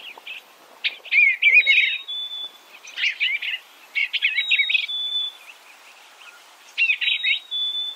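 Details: An Eastern bluebird sings gentle, chattering warbled phrases roughly once a second. A thin, sustained high whistle from another bird follows several of the phrases.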